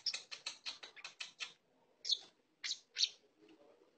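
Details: Lovebird giving harsh, raspy chirps: a rapid run of about eight short notes, a pause, then three louder separate chirps, with faint low background murmur.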